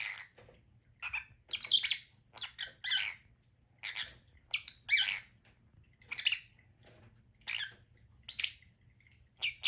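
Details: Lovebirds calling steadily with harsh, high-pitched squawks and chirps in short bursts roughly every half second, irregular in rhythm, indoors in a quiet room.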